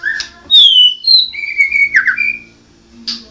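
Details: Mottled Medan white-rumped shama whistling a long clear falling note, a brief higher whistle, then a sustained level whistle with a warble, ending in quiet hum.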